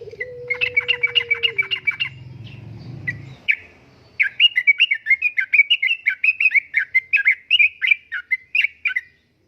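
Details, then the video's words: Yellow-vented bulbul lure and master song, 'uplik-uplik' style: quick repeated chirps over a low hum and a steady tone, then after a brief gap a long, lively stream of bubbling, warbled notes. "Kicauan Suara Burung Trucukan Gacor Uplik Uplik,Pancingan Trucukan Gacor,Masteran Trucukan"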